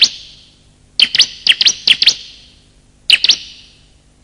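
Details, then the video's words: Bar-winged prinia, male and female, calling as lure: clusters of two to five quick, high, piercing chirps with ringing echo trailing after each cluster. "pikat suara burung ciblek"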